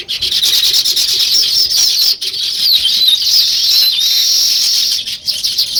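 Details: Sparrows, named as weaver birds, chirping naturally in a group. A steady wall of high twittering with rising and falling whistled slurs runs through it, broken only by a short pause midway.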